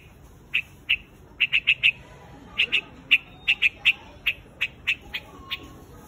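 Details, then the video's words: A white-headed bird, known locally as quạch mốc, calling its flock: short, sharp chirped notes, singly and in quick runs of two to four, spaced irregularly over a quiet background. "Tiếng chim quạch Mốc"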